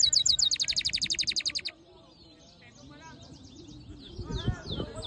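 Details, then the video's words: Song of a black-hooded siskin mule: a loud, rapid trill of sharp, evenly spaced high notes lasting under two seconds, followed by soft scattered twitters and faint background noise. "Black HOODED yellow siskin mule | Cabecita negra CD | Carduelis singing"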